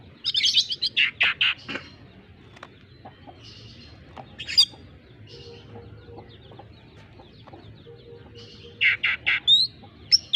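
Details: Oriental magpie-robin song filled with squirrel mimicry: a burst of harsh rapid chattering notes at the start, a sharp high whistle midway, and another chattering series near the end, with quiet gaps between.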